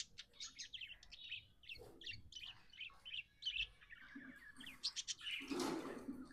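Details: A happy pet budgie chatters with quick, busy, twittering chirps in rapid runs, followed by a louder rasping burst near the end.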